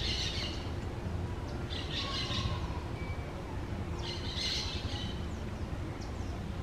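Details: Green parakeets at their newly found nest: a series of rough squawking bursts, some doubled, with a few thin whistled notes between them, over heavy low background rumble.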